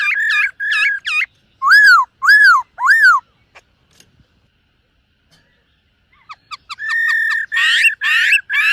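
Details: Morning training song of a silver-eared laughingthrush: looping and arching whistled notes repeated about twice a second, a long quiet pause, then sharp clicks leading into steady level whistles with a harsher rasping note.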